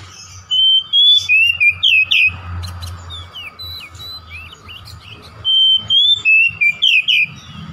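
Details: Oriental magpie-robin lure song for a domestic bird: two matching phrases, each about seven bright whistled notes, some twisting and buzzy at the end, with lively softer twittering filling the gap between them.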